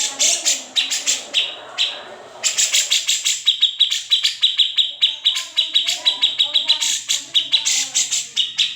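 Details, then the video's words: Grey-cheeked bulbul, known locally as cucak jenggot or kamandanu, in an unedited recording used as master song for magpie robins and other songbirds; fast series of sharp, high chipping notes with buzzy bursts and brief pauses, faint lower warbles behind. "Cucak Jenggot (Kamandanu) Masteran Wajib Murai Batu & Cucak ijo dan burung lain nya"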